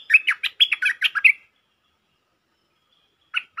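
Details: A territorial local stripe-throated bulbul, singing in a way used as a lure call, gives a quick burst of bubbly, chattering notes for over a second; after a pause, two more short phrases begin.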